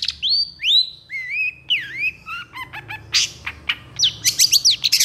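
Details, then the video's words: Long-tailed shrike in excited song with long bursts, tutor material for stressed shrikes. Clear rising and falling whistles, then quick descending chips and closing harsh buzzy notes, over a low background hum. "SUARA PENTET GACOR EMOSI TEMBAKAN PANJANG"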